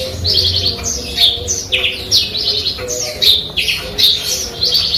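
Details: Eurasian tree sparrow trained on canary and cigun song material, delivering a rapid run of high twittering notes and short buzzy trills, steep downward slurs repeated several times a second, faint low hum behind.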